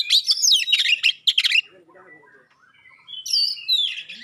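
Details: Oriental magpie-robin singing a sharp, clear 'tembakan' style song meant to make other magpie-robins respond: a dense burst of high whistled and trilled notes, a short quiet pause, then long sliding whistles.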